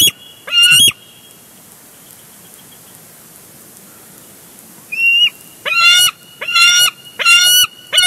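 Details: Bald eagles at a live-cam nest at Big Bear Lake, 23 June 2022, as one eagle crashes in and tackles another for a big fish. One short harsh call is followed by a pause, then four rapid, stuttering, piercing calls about 0.7 seconds apart.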